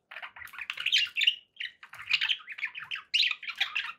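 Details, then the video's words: Pet budgerigars chattering in rapid, scratchy warbling phrases with short squawks, broken by a few brief gaps, close and clear indoors. "budgie sounds for pet birds"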